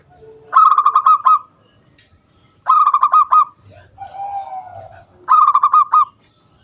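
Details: Three bright staccato bursts of the local zebra dove's crystal-toned lure song, each a quick run of about eight clipped ringing notes, separated by pauses, with a lower soft coo from another dove between them.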